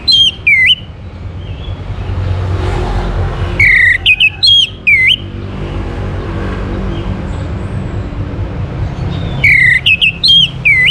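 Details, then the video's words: Orange-headed thrush song used to encourage other birds to sing: three bursts of loud, looping, slurred whistles falling then rising, separated by pauses filled with low rumbling background noise. "KICAUAN ANIS MERAH UNTUK PANCINGAN AGAR BURUNG IKUT BERKICAU"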